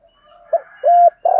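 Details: Spotted dove cooing to spur contest calling, male and female voices, used for training birds: a faint low hum, a short clipped note, then a level hollow coo ending with the next phrase just starting.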